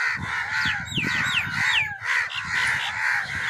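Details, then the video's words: Several crows give harsh, raspy caws in quick, uneven, overlapping bursts, used as sounds to attract crows; thin falling whistles from other birds sound behind. "Crow sounds to attract crows"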